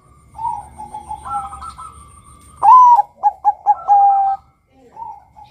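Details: Male zebra dove of the Bangkok line singing as a lure to make other males call: quiet wavering coos, then a loud rising note, a burst of short stuttered notes and a drawn-out even final note.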